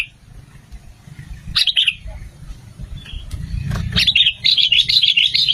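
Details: Sooty-headed bulbul lure song used to draw other bulbuls. A quick bubbly phrase early on, then after a gap a lively string of rapid warbled notes builds toward the end, with low background noise.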